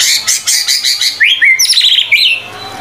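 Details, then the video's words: White-rumped shama (murai batu) singing gacor, vigorous and full: a run of rapid buzzy chirps gives way to clear whistled slurs rising and falling, with a low steady hum beneath. "MURAI BATU GACOR"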